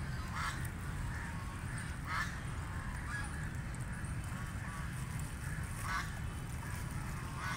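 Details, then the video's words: Feeding in water, a call duck quacks repeatedly in short nasal bursts roughly every second or two, under heavy continuous low-pitched rumble. "Call Duck Quacking Quacking"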